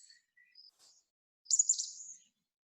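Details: Chestnut-backed Chickadee agitation call from Protection Island, also heard all winter: a few thin, high notes, then a harsh, buzzy, very high burst of rapid dee notes lasting under a second.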